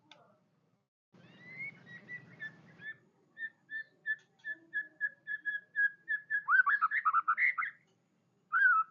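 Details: White-rumped shama chattering in song: a soft low rattle, then a series of clear whistled notes repeated about every third of a second, speeding into a burst of rapid, warbling falling phrases and a final whistle.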